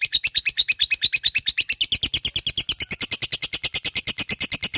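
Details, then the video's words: Full ngekek from a fighter-type lovebird: a dense, rapid trill of piercing pulses, several per second, steady in rhythm and rising slightly in pitch halfway through. "LOVE BIRD FIGHTER full ngekek GACORR"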